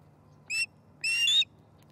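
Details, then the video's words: Osprey at its Charlo nest during a breakfast fish delivery on 18 September 2019 gives a short whistled note, then a longer, brighter upslurred whistle. A low steady hum lies underneath. "Breakfish at Charlo's Osprey Nest"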